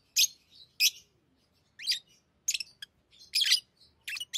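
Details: Lovebirds kept as pets chirping while playing with rings; single sharp high calls spaced about half a second apart, some rising, with faint low background rumble.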